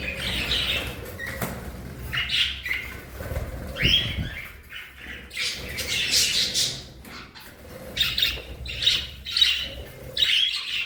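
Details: Pet budgerigars in free flight, energetic and social, chirp and warble in bright, scratchy bursts, with wingbeats now and then.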